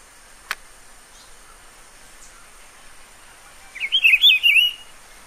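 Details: Rufous-browed Peppershrike singing in the wild in Pernambuco, Brazil: after a quiet stretch with one sharp click, a single loud, bubbling, up-and-down whistled phrase of nearly a second over a soft background hiss.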